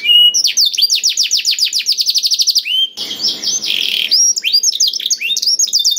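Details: Black-throated canary; song; stimulating other canaries to sing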